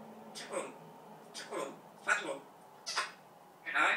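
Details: Indoor pet parrot repeating learned words: five short, evenly spaced speech-like syllables, roughly one per second, over faint room noise.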